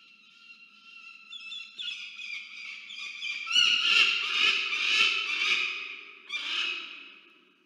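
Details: Peregrine falcon visiting the nest, recorded by a nest camera at Charles Sturt University, Orange, New South Wales, Australia, on 10 January 2024: harsh rasping wailing calls building into loud repeated screeches.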